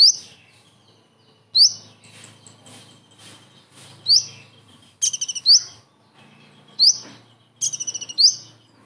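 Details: Common iora delivering kingfisher imitations: loud, sharp rising whistles spaced a second or two apart, some preceded by quick stuttered trills, with soft background chatter and hum between phrases.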